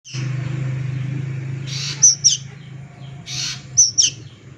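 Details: Juvenile plaintive cuckoo giving two pairs of sharp, very high squeaky notes, each pair quick and doubled, over a steady low engine-like hum and brief bursts of hissing noise.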